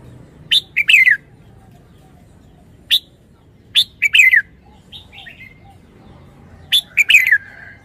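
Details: Red-whiskered bulbul performing wild-style song, repeating loud, rich warbled phrases of clipped notes ending in a falling slurred whistle, roughly every three seconds, with softer chattering notes between phrases.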